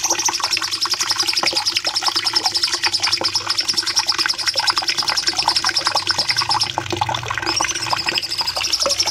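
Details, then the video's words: Long rapid bulbul song, called cucak cungkok locally, played as a master for caged birds: a dense high trill of quickly repeated notes, briefly breaking into a rising slurred whistle before the trill resumes. "Masteran Cucak Cungkok nembak panjang"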